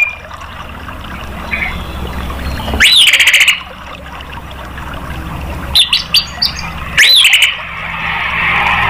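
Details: Orange-headed thrush song used as a prompt to set other caged birds singing: a few loud rich whistled phrases with rising and falling sweeps and sharp clicks, separated by pauses over low background hum.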